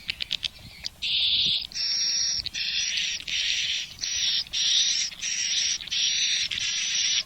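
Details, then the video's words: Swiftlet call test, an original Malaysian recording for a swiftlet house: a few quick ticks, then a steady run of harsh, buzzy chattering bursts, each under a second long, separated by brief pauses. "Sound Test of Swiftlet សម្លេងដើមរបស់សត្វត្រចៀកកាំ"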